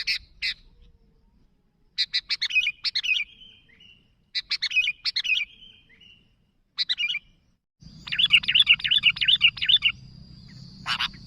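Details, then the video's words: Chattering sooty-headed bulbul calling companions: several bursts of rapid clicking notes ending in short whistles, then a longer, loud run of bubbly warbling joined by a steady high tone and a rise in low background noise. "Suara Burung Kutilang Gacor Memanggil Kawan"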